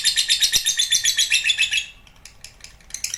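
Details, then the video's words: Lovebird giving its long 'ngekek panjang' trill: a dense, high, rapidly pulsed chattering stream that runs steadily for about two seconds, then breaks into a few faint scattered chirps. "Love Bird Ngekek Panjang"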